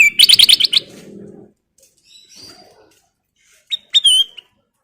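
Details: Kutilang emas, the ruby-throated bulbul, singing hard with full fill material: a quick run of about seven bright stacked notes, a quiet gap, then two clear whistled slurs.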